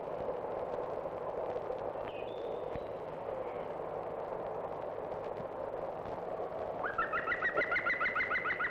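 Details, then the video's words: Green woodpecker nesting on an English farm in open countryside in the 1970s, giving its well-known loud, laughing series of quick, ringing notes near the end, about three or four per second, over a steady hiss. "the green woodpecker which is a familiar bird in open countryside nests here its call is well known"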